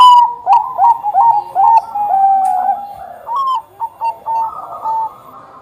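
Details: Zebra dove, Bangkok type, singing vigorously: a fast string of bright, slightly buzzy coos that dip and rise, then spaced short notes after a pause, with faint high chirps.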